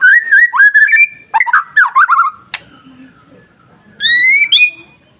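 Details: White-rumped shama masteran song used to provoke other shamas into singing: clear whistled phrases, slurred and wavering, in bursts separated by short pauses, with a faint low background hum.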